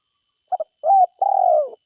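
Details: Spotted dove calling in forest: a brisk double note, then a rising-and-falling coo and a long, slightly descending mellow coo. The sounds are clean and low-pitched, with no other sounds.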